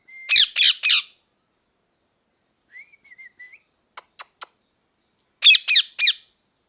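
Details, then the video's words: Parrot uttering three harsh squawks, a soft whistled warble, a few sharp clicks, then another trio of rough descending screeches. "Parrot Chirping Sounds | Natural Parrot Sounds | Parrot Calling Sounds"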